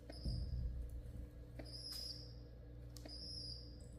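A newly hatched pigeon chick gives thin, very high squeaky whistles in three short bursts, about one every 1.3 seconds, over a steady low hum.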